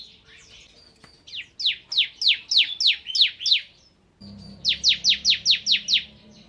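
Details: Ciblek kristal, the bar-winged prinia, in 'nembak' song: a series of sharp, downslurred high notes, about eight, then a short gap and another run of seven similar notes.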